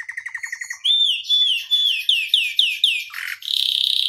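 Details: Canary singing as a tutor for other canaries: rapid ticking notes, then a series of looping rising-falling whistled phrases repeated about twice a second, ending in a dense buzzy trill.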